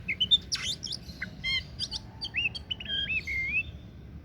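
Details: Oriental magpie-robin singing: a varied phrase of sharp high chips and buzzy notes followed by clear, looping whistles that rise and fall, over a low background rumble.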